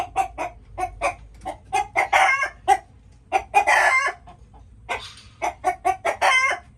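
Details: Several chickens making noises, a steady run of short clucks broken by longer, harsh, rising squawks around two, four and six seconds, with low background hum.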